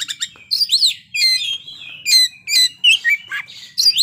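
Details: An Oriental magpie-robin delivers its fill-in song phrases: sweet slurred whistles, twangy upsweeps and quick chirps in short bursts, fairly loud and clean.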